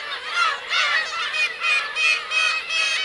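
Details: Black-tailed gulls, parents and young, on the Kurosaki shore of Teuri Island, Hokkaido, 17 June 2021; bursts of loud nasal mewing repeat roughly every half second over a constant background of many other gulls.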